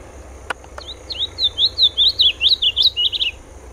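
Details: Sayaca tanager singing: a quick run of about a dozen squeaky, high notes, each sliding up and down, strung together over two seconds after a couple of faint clicks.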